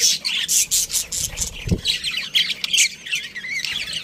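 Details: Colony of budgerigars, including a breeding pair, giving dense overlapping high chirps and warbled squawks, with a single low thump partway through.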